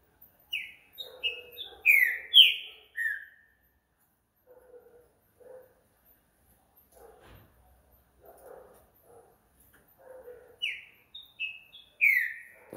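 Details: A green-winged saltator sings at night: a burst of clear downslurred whistles, a long stretch of soft low chattering and a brief thud, then another run of loud whistled notes near the end.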